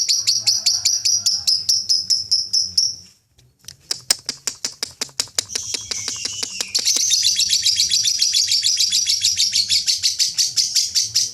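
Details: Lovebird ngekek chatter used in song contests: a three-second run of rapid shrill notes, a brief silence, scattered sharp clicks, then a louder, denser stretch of continuous buzzy chattering to the end.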